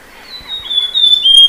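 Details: Amazonian Grosbeak song fragment: a thin, clear whistled note held high and nearly level, broken into a few slightly stepped segments, growing louder toward the end, over faint background hiss.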